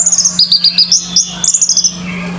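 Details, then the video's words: Orange-headed thrush singing at a bird singing competition: a rapid run of high, sharp, chirping notes in quick bursts that slide upward, followed by a thinner falling phrase, over a steady low electrical hum. "ANIS MERAH PUNCAK SENI BIRD COMPETITION"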